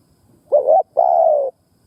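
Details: Decoy spotted dove luring wild doves with a two-part coo: a brief wobbling note followed by a longer, level, gently descending hoot, quiet background.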